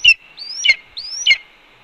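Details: Red-tailed hawk at a Cornell nest camera, 1:29 PM, calling while its mate, which brought two voles, calmly eats a pigeon. Two rising whistled notes each end in a harsh, raspy burst, about half a second apart.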